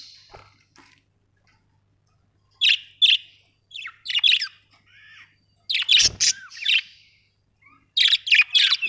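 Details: ['Budgies chattering in irregular bouts of harsh, scratchy notes and short squawks, with brief whistled slurs and a dull thump in the middle, separated by quiet pauses.']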